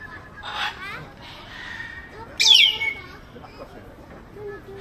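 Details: Grey parrot, also called Jako, kept in Baku Zoo, giving a loud harsh screech in the middle after soft raspy and whistled notes, with faint murmuring and a short low whistle at the end.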